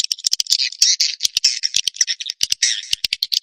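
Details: Dense, high, scratchy twittering with many sharp clicks, from swiftlet calling and roosting sounds that Indonesian swiftlet farmers play to attract birds.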